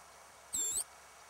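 A Rufous-crowned Sparrow gives one thin, high, slightly nasal note lasting about a third of a second, against a quiet background.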